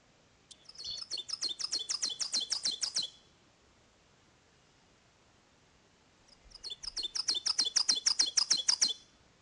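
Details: Ovenbird (Seiurus aurocapilla) in the Ozark spring dawn chorus in mature closed-canopy forest gives two loud songs. Each is a rapid, high, ringing teacher-teacher series that builds in volume over about two and a half seconds.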